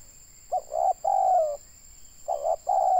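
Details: Spotted dove, called tekukur locally, kept as a lure in Indonesia, voicing mellow coos: a clipped note, a rounder one and a long coo falling in pitch, followed by another phrase starting, faint background whine.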